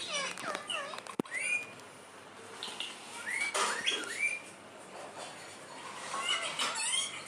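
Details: Talking parrot, the kind that says "mummy", producing clear upswept whistles and curved chirps in scattered bursts, with a sharp click early on.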